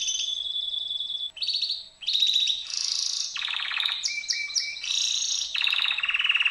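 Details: Canary song built from separate sections: a steady whistled tone, then rapid buzzing trills and rolls, each held about a second before switching pitch, with a faint low hum underneath.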